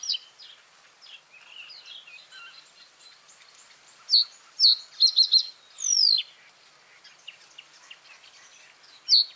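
Common reed bunting giving a short, jerky phrase of a few sharp high notes and a quick stuttered run, with other small birds chirping faintly behind.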